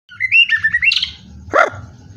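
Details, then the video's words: White-rumped shama singing vigorously: a loud, fast run of varied whistled and warbled notes rises and twists, followed after a pause by a sharp downward-swooping note, with faint low background rumble. "Nyawang sek bolo murai batu gacor"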